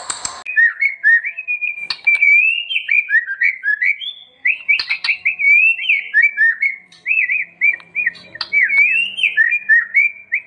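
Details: White-rumped shama song, as master for training: a long run of short twisting whistled notes at steady mid-high pitch, delivered in quick bursts separated by brief pauses.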